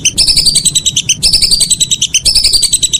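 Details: Whistling duck calling in the evening: rapid series of high, sharp whistled notes in quick bursts, each burst about a second long and repeated without pause, over a faint low rumble.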